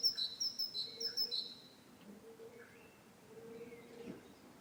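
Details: Great tit song opening with a few quick high-low whistled pairs in the first second and a half, then fading into quiet background.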